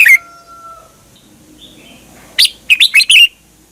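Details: Red-whiskered bulbul (Pycnonotus jocosus), song.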